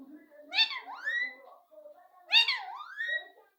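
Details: Pet parrot known for talking a lot gives two harsh, speech-like phrases with a dipping then rising tone, faint low murmur underneath, indoors.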